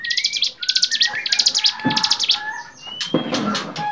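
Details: Bar-winged prinia in a varied training song for cage birds: fast high chattering bursts, then long clear whistled slurs and a few sharp notes in a busy close performance.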